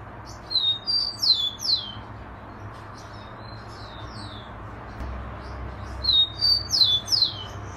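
A rufous-collared sparrow sings two phrases of high, clear slurred whistles, each about a second and a half long, roughly five seconds apart, over a low steady rumble.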